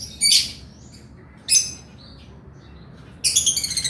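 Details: Vigorous male lovebird: two brief harsh squawks a second apart, a soft squeak, then a fast buzzy rattling trill of repeated pulses to the end.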